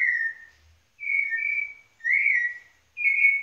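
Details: White-necked Thrush singing in Pernambuco: clear, pure whistled phrases, each under a second long, at a steady pace of about one per second; otherwise quiet.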